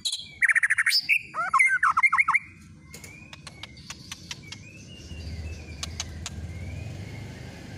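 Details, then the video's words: White-rumped shama lure song, meant to provoke a kept shama into singing its full repertoire: a burst of loud, varied whistles and rapid warbled notes over two seconds, then faint thin whistles and clicks over low background hum. "PANCINGAN MURAI BATU TERDASYAT"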